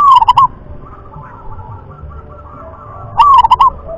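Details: Local wild zebra dove singing in the prized rhythm-class style: a short staccato burst of soft cooing notes near the start, then a second rising-then-stuttering coo phrase about three seconds later, over faint background hum.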